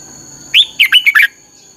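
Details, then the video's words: Single bright phrase from a red-whiskered bulbul in the 'căng lửa' training style: a rising slurred whistle then four quick chirpy notes, backed by a faint constant high whine. "luyện giọng cho chào mào hót hay - căng lửa"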